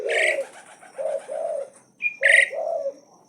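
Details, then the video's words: Nonstop song of an Asian pied starling that keeps challenging: a loud harsh opening note, low rounded phrases, a short clear whistle, then another sharp rising shriek. "Jalak uren gacor tdk takut Menantang terus BUNYI NONSTOP"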